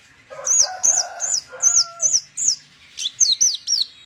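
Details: Javan bush lark delivering 'roll tembak' phrases: very high whistled notes dropping in pitch, repeated about three per second, with softer lower warbled tones beneath during the first half.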